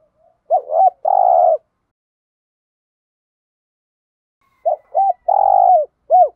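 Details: Spotted dove cooing in the 'thổ đồng' voice with 'thúc gù' style, used to stir up trained decoy doves; two phrases of short hollow coos with a longer burred middle note, separated by several seconds of silence.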